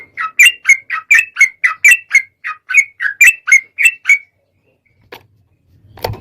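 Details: Sooty-headed bulbul lure sound for prompting other birds to sing: about fifteen quick, liquid chirping notes in an even sequence, followed by silence and a faint thump.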